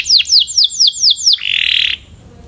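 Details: Canary training song used to improve singing: six quick whistled notes sweeping downward, each about a quarter second apart, then a dense buzzy trill held for half a second before fading.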